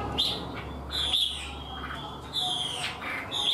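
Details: Chinese hwamei, an untrained 'mộc' bird said to sing readily and in full like a tamed one; loud clear whistled notes near the top of its range come in short bursts separated by pauses, over a steady low background hum.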